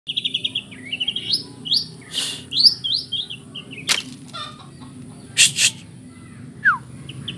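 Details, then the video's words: White-rumped shama song filled with kapas tembak imitations: quick high whistled rising notes, then sharp scattered chips and sweeping slurs with loud bursts between phrases, over a steady high-pitched background tone. "Murai batu isian kapas tembak"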